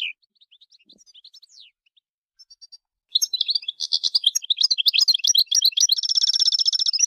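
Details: Goldfinch song opening with a few soft thin notes, then bursting into a fast, liquid twitter of varied high chirps that ends in a sustained buzzy, rattling trill; no other sounds.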